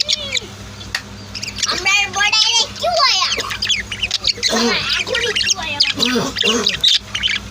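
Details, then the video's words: Pet budgies and lovebirds at home, no music added: a busy mix of high, quick chirps and squawks, with some lower warbling, harmonic-rich notes in between and a steady low hum underneath. "Sweet Bird Chirping Sounds | Relaxing Voice of My Pet Birds"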